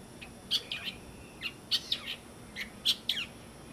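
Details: A Galapagos mockingbird (Mimus parvulus) on Rábida Island, Galapagos, sings a rapid, scratchy string of high chirps and squeaky notes, about a dozen short bursts in four seconds, over a soft background hiss.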